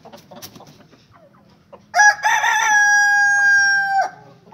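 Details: Rooster crowing: after soft background clucks, a loud, drawn-out crow with a short rising opening and a long, steady, harmonic-rich note lasting about two seconds, then fading.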